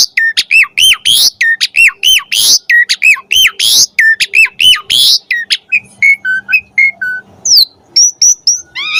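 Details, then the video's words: Asian pied starling in full varied song meant to teach captive starlings: fast repeated hooked whistles alternating with harsh bursts, then softer descending notes and a few high sweeping whistles. "Suara Jalak Suren Gacor Full Variasi Cocok Buat Masteran & Pancingan Burung Jalak Agar Gacor Isian"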